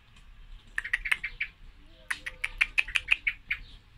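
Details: Rapid run of hard, clicking chink notes from a female common blackbird, about three per second, in two bursts separated by a brief pause, over a quiet low background.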